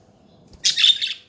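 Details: Budgerigar chatter: a single short burst of scratchy, warbling chirps lasting about half a second, bright and high-pitched, following a near-silent start with no other clear sounds.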